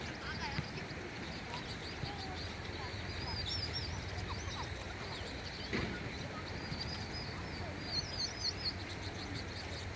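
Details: Vinous-throated parrotbills, seen in June and never keeping still, give thin, high twittering chips and short chattering notes, scattered throughout over a steady low rumble of wind or distant traffic.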